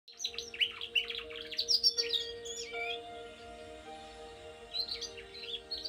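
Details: Domestic canary kept by a breeder, singing to train young birds to sing: rapid high rolling trills and chattering twitters, a pause, then more warbled phrases, over a faint steady hum.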